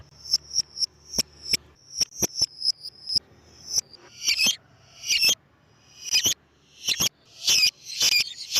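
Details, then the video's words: A vocal lovebird used as a lure: rapid series of thin, sharp high chirps, then louder rasping screechy notes in spaced bursts. "MEMANCING BURUNG LOVEBIRD DENGAN SUARA BURUNG GACOR"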